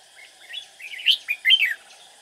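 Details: Red-whiskered bulbul decoy bird, lively and quick-voiced, singing to lure rival bulbuls during trapping. It delivers a continuous loud, bubbling run of warbled chirps with several strong peaks, set against a steady high-pitched insect drone.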